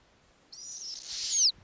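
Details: Young snowy owls, eight owlets in an Arctic nest on a warm summer night as the female brings a lemming: a single breathy, very high screech swelling in loudness and cutting off sharply.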